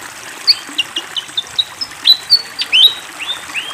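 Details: Lively fantail beside flowing water: a string of short, high, rising and falling whistled chirps, about one every third of a second, irregular in timing, over a light steady water hiss.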